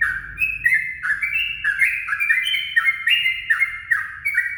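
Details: Yellow-vented bulbul dawn song for luring birds: a steady, fast stream of rich, bubbling notes, each slurring down, repeated without a break, with faint low noise underneath.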